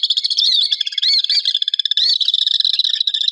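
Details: Common swift, an urban bird of city and town skies in summer: a dense run of shrill, high screeching notes with short rising and falling sweeps, sounding almost continuously through the whole stretch.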